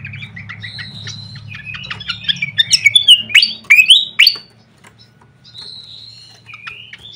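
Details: Lure call of a fantail flycatcher among tutoring recordings: short chirps build into a loud burst of sharp, upswept whistled notes, followed by thin sustained high whistles after a brief pause.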